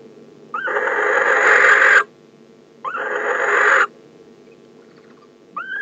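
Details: On 15 December at a nest box, a male barn owl calls to the arriving female with two long, harsh, hissing screeches, each about a second or more, with a third starting at the end; little else is audible.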